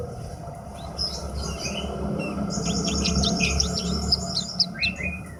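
Horsfield's bush lark gives a quick run of high, thin chirps and sharp slurred notes, several each second, over a steady low rumble.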